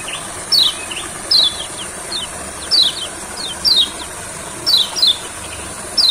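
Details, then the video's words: Olive-backed sunbird taken to a rice field for singing therapy gives clear, high, descending chip notes about once a second, singly or in pairs, against constant high insect buzzing and faint background noise. "Terapi Kecial Kuning Di Sawah Gacornya Kumat.!!!"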